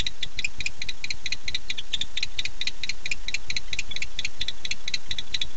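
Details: Male barn owl calling for his mate at night, 9:54 pm, dated 9-8-15: fast, uneven series of sharp dry clicks or chitters, about several per second, over steady low hum.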